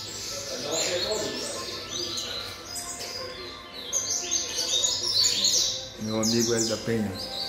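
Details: Fast high twittering song of a seven-month-old double-collared seedeater, phrases of rapid slurred notes, with a person's voice briefly audible near the end.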